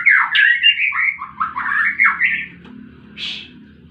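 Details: White-rumped shama in fighting song: a short, loud run of slurred, rolling whistled notes lasting about two and a half seconds, then one brief buzzy high note over a low hum.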